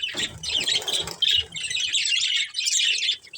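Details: Pet budgies from a colourful family group; steady, continuous high twittering warble with overlapping chirps and a few low rustles at the start.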